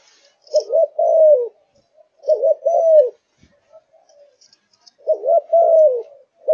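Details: Fired-up Malaysian spotted dove kept by a dove fancier. Three low two-part coos come with longer pauses between them, alongside a soft click and faint high chirps.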